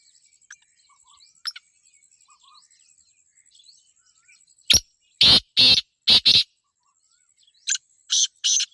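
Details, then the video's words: Black francolin (kala teetar) gives a loud phrase of harsh, grating notes in quick succession, then a second shorter burst, with a faint thin whine underneath. "Kala Teetar Ki Awaz/ Black Teetar Voice"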